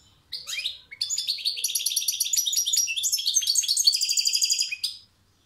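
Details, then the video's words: European goldfinch song, a bird in captivity: after a short opening phrase, a continuous four-second stream of quick liquid twitters and tinkling trills, high-pitched and rapidly repeated, ending abruptly. "Saka kuşu konser veriyor maestro"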